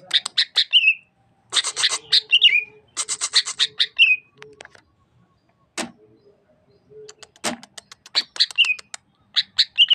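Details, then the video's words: Greater green leafbird of the Sukamade variety, East Java, singing in bursts: rapid scratchy chatter ending in slurred twanging whistles, repeated several times with short pauses and two sharp clicks. "Suara Khas Cucak Ijo Sukamade ( Merubetiri )"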